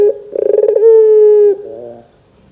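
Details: Barbary dove lure sound for young doves: a brief note, a stuttering rolling trill, then a long smooth coo fading into a soft low wavering tail.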